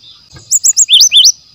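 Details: Wild brown-chested jungle flycatcher, natural song used as a lure and training material. Three crisp high chirps followed by two lower, longer rising whistles, all in a rapid run.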